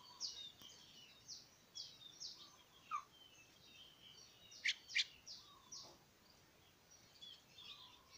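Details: Streak-eared bulbul chicks calling: quiet, high, short chirps repeated every half second or so, two sharper louder notes near the middle, and a few lower slurred whistled notes over a faint hiss.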